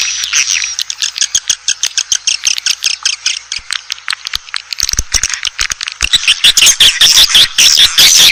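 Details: Swiftlet calling sound used to draw in Asian swiftlets: a rapid, uneven run of dry clicks and rattling pulses, about two or three a second, swelling into busy high chatter near the end.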